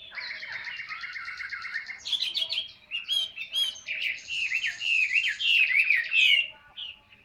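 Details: Caged Chinese hwamei from Vietnam, 'ngũ trường cao cầu' song style: a long steady buzzy trill for two seconds, then vigorous, varied whistled phrases with sharp upsweeps, loud and energetic.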